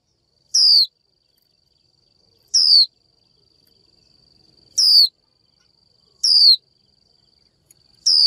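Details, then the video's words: Five crisp, falling 'chiu' calls from a female Japanese white-eye summoning a male, spaced about one to two seconds apart, with a steady high hum in the background. "Chim vành khuyên mái chíu gọi trống"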